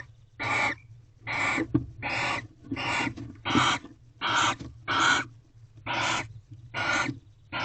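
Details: Barn owls in an owl box in a corral during mating, at 6:03 am on 24 February 2023: a series of harsh, broadband hissing screeches, each about half a second long, repeated roughly every 0.7 seconds, with a low background hum.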